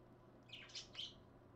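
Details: Two pet parakeets indoors at 5:20 in the early morning, January 30, 2015; a few soft, quick chirps with short high squeaky notes, one after another within a second, over a faint steady low hum.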